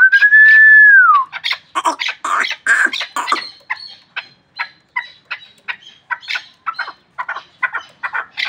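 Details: After a sustained pure whistle opens, a Pamir chukar used for hunting bursts into loud grating chuckles that settle into a steady, fast train of short clucks.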